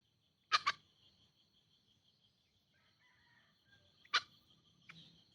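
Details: Green junglefowl, in a recording used to lure wild birds, gives two short harsh bursts in quick succession, then another burst about three and a half seconds later, over a steady high insect whine.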